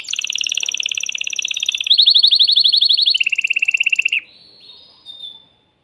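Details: Male canary in a cage, agitated and singing to arouse a female for breeding, delivers a run of fast rolling trills that shift pitch in steps, ending with a thin whistled note.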